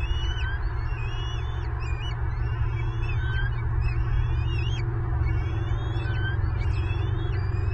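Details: Bald eagle adult at its Southwest Florida nest, February 25, 2023, angrily turning on both eaglets while feeding them. Repeated high, thin whistled phrases with rising and falling slurs come in bursts over constant low-pitched background rumble.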